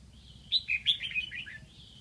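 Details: Caged decoy red-whiskered bulbul from Lạng Sơn, Vietnam, singing to lure wild birds: one short, bright warbled phrase of four or five quick slurred whistles, falling slightly at the end, over a low steady hum.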